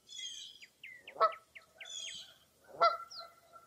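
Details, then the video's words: At Mirror Lake State Park, Wisconsin, one foggy early April morning, a whistled song of slurred repeated notes is cut by two strong honks about one and a half seconds apart, then brief high chirps. "Birding By Ear at Mirror Lake State Park"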